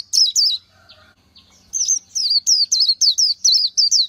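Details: Two high whistled notes, a short quiet pause, then a steady run of eight bright twisting notes from a wild Oriental white-eye.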